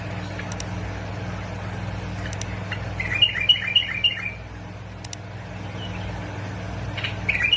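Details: Bulbul recorded in Basra and Fao, Iraq, for prompting other bulbuls to sing. It gives a quick series of four or five short, bright, bubbling notes, then a faint later note, with steady low hum and occasional clicks.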